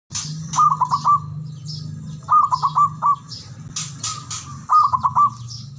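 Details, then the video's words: Male zebra dove call used as a lure to make quiet doves sing: a stuttering series of four or five soft cooing notes, repeated three times about two seconds apart, over a steady low hum and scattered rustling noises. "PANCINGAN!!! AMPUH PERKUTUT BISU🔇 MALAS BUNYI🔊 AUTO, GACOR"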